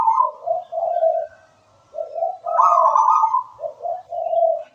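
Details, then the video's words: Local wild-type zebra dove singing: soft mellow cooing phrases of short stuttered notes and a longer warbled coo, repeated with brief pauses and faint high chirps behind. "Suara merdu perkutut lokal alam gacor"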